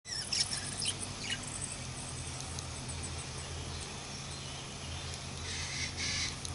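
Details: Baby budgerigars giving short, high chirps and thin squeaks, clustered at the start and again near the end, over a steady low hum.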